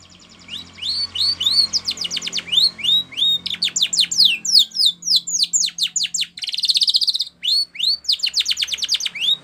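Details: Canary singing a training song in Spanish Timbrado style: a few rising whistles, then long rapid series of clipped descending notes, a buzzy rolled section midway, and more upswept whistles before closing.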